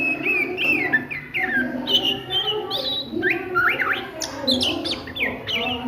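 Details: Oriental magpie-robin at midday, singing ngriwik style: a lively stream of varied whistled slurs, rising notes and crisp chips, loud and continuous, over a soft low hum.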